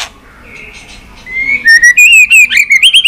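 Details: White-rumped shama song for training and stimulation: faint quiet notes build into loud, clear, high whistled phrases that slide up and down, delivered as short repeated notes in quick succession.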